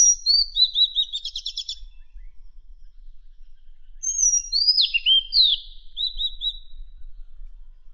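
Madagascar magpie-robin song: two bursts of clear, high whistles with rapid trills and downslurred notes, about three seconds each, separated by a pause.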